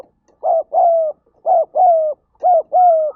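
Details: A spotted dove calls urgently in a rapid run of low, hollow coos. Each coo is a clipped note followed by a drawn-out, gently falling one, and the pairs repeat about once per second for three pairs.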